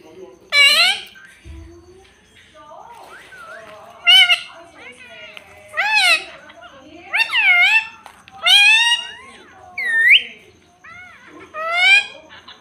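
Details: Pet parrot talking, said to say "mummy": a run of about eight loud, high, voice-like harmonic phrases with bending rising-falling pitch, each about a second long and spaced one to two seconds apart, in a quiet indoor room.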